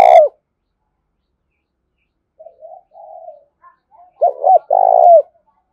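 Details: Spotted dove used as a decoy to call in wild birds. A loud coo cut short at the start, a pause, soft low murmuring coos, then a full loud phrase of two quick notes and a long drawn, falling coo.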